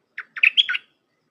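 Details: One brisk phrase from a Red-whiskered bulbul singing in the 'dok taeng' style, used to teach hand-reared young: a lone chirp, then a tumbling run of slurred, whistled notes ending lower.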